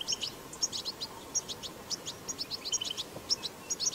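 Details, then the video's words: Batbata song of a wild goldfinch: spaced, high chirps and bright tinkling notes, some doubled, scattered across a few seconds against a quiet outdoor background. "أقوى بتبتة حسون 8"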